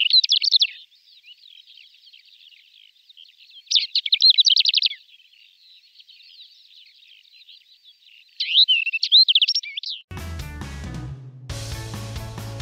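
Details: A male greater short-toed lark calling and singing in flight, including mimicry, gives high, dry chirping phrases in three bursts separated by softer twittering. Music takes over for the last few seconds.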